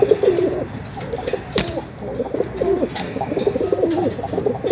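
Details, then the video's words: Continuous low, burbling pigeon coos, several overlapping rolling phrases with wavering pitch, possibly more than one bird, plus a sharp click or tap near the middle and soft background noise. "कबूतर की आवाज || kabutar ki awaz || Pigeon Sound"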